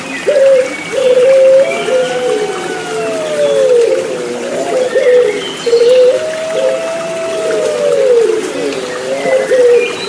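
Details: Layered cooing of Puter Pelung turtle doves: long, level, mid-pitched notes ending in downward slides, recurring about every four to five seconds, over a constant background of splashing, trickling water.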